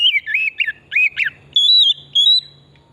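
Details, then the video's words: Oriental magpie-robin, an energetic singer used to stimulate singing: quick wavy whistled notes dipping and rising, followed by two long, clear, slightly undulating high whistles. "Pancingan burung kacer pesona hutan murni gacor"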